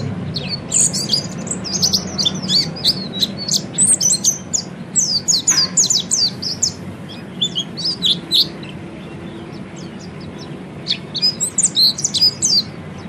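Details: Oriental white-eye training song: long spells of rapid high twittering and chirping, pausing briefly mid-way, then resuming in energetic bursts of thin sharp notes.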